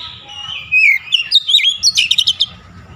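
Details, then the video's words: Oriental magpie-robin "shooting" song, showing off its repertoire: a wavering whistle slides down, then quick looping chirps rise and fall, ending in a fast burst of clipped, repeated high notes over soft background hum. "KACER NEMBAK NEMBAK BONGKAR ISIAN"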